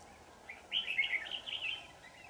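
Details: Red-whiskered bulbul, the 'shrimp-back' bird used in trapping, singing with force on 4 January 2018. One continuous run of bubbling, wavering warbled notes lasts over a second, with a faint high note above. A steady hum sits underneath.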